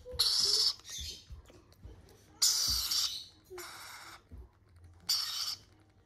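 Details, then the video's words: Lorikeet babies at a hand feeding make loud, harsh hissing rasps in four half-second bursts, with soft human voices and handling noises underneath. "lorikeet Babies Hand feeding"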